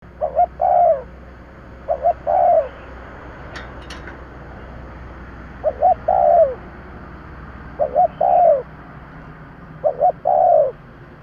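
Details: Spotted dove calling to lure birds: a short double coo followed by a longer, slurred, falling coo, repeated about every two seconds, with faint background hum.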